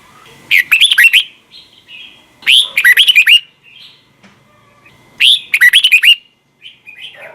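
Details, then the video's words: Three bright, jerky phrases of quick slurred whistles, roughly every two and a half seconds, from a red-whiskered bulbul in the double-note wild-style morning song used for training, with soft short notes between phrases. "Luyện giọng cho chào mào hót sáng, ép chào mào hót âm kép già rừng hay tuyệt!"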